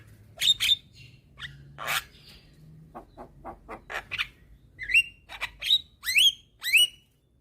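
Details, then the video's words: Young black-winged starling singing constantly: sharp whistles and rasping bursts, soft clicks, then a closing series of loud, upward-sweeping whistled notes about every half second, with a low background hum. "Pancingan Burung Jalak Malas Bunyi dengan Kicauan Jalak Kebo Muda Gacor Manggut2"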